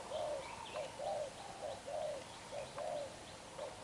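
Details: Young wild-caught spotted dove with black eyes cooing vigorously in 'đập gù' fashion: alternating short and longer low slurred coos, about one per second, with faint high chirps from other birds.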